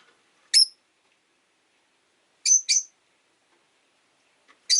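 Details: Rosy-faced lovebirds, five kept in a cage by a window on a rainy day, an orange-faced bird jostling for perch position beside a blue-and-white one; sharp, shrill high chirps: a single call, a quick double, then another at the end, with quiet between.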